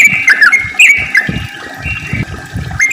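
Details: Yellow-vented bulbul song used as a lure for other bulbuls: bright whistled notes with quick rising slurs and a held level tone, against a low gurgling rumble.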